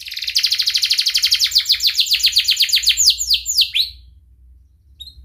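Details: Canary song used as a lure to teach young canaries to sing: long rapid trill of repeated chirps, then a run of descending slurred notes, ending about four seconds in with faint low hum.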